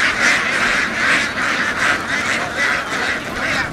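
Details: Herd of laying ducks in Vietnam running over farmland and boarding a boat; rough, raspy quacks pulse about once a second from many birds together, blended with continuous background rumble.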